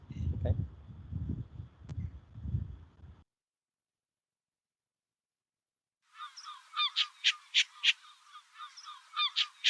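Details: On Skomer island, a man speaks, then after a pause an adult Short-eared Owl gives its barking territorial call: harsh, raspy barks repeated in quick bursts several times a second.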